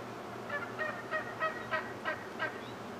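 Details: Wild turkeys in a morning group while a male performs his display dance; a series of about seven harsh, harmonic yelping notes, roughly three each second, over steady low background hum.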